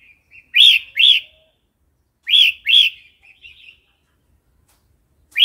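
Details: Wild song of a red-whiskered bulbul for training young and wild-caught birds: paired bright, down-slurred notes given twice, each pair followed by soft, quiet notes.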